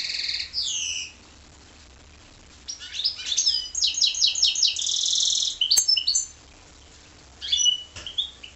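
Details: Song of a goldfinch × canary hybrid: a brief opening phrase, a pause, then a long run of fast rattling trills and twittering notes, ending with a few scattered whistles.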